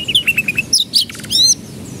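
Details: Canary singing as a lure so young birds quickly find their voice: a run of short repeated chirps, then sharp high notes, a buzzy rattle and a clear rising whistle.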